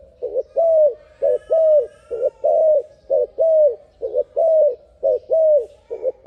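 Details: Turtle dove calling, sped up: regular series of low hollow coos, short broken notes alternating with longer falling ones about once per second, faint higher bird sounds behind.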